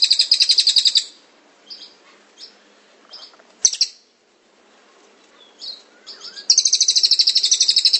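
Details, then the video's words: A cililin trills in rolling ngrol fashion: a fast high pulsed trill opens and another returns at the end, with scattered thin chips and whistled notes between. "Masteran cililin gacor ngrol"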